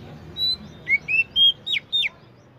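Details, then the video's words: Oriental magpie-robin, locally called kacer, delivering a short run of about six clear whistles, some level, some sharply down-slurred, spaced roughly a quarter second apart against a quiet background. "chirping sound magpie Robin"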